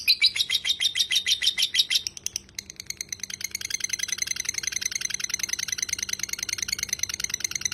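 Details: Lovebird ngekek from a tutor recording: about two seconds of loud, harsh, pulsing notes, then a long, quieter, very fast rattling trill that keeps going.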